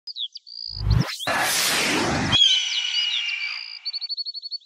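European goldfinch song: high, tinkling twitters and a quick run of repeated notes, broken in the middle by a loud burst of broadband noise.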